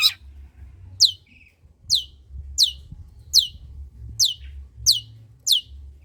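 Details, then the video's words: Long-tailed shrike, recorded as a lure for lazy shrikes: sharp, thin, downward-sweeping high notes repeated steadily about every half to one second, with a brief softer note and light background rumble. "Suara Cendet PASTOL GACOR || Pancingan Cendet Malas BUNYII"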